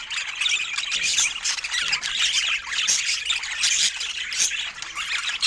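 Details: Rare colour-mutation budgerigars chattering together: dense, overlapping warbles, squeaks and short scratchy chirps, high-pitched and continuous, with no pauses between calls.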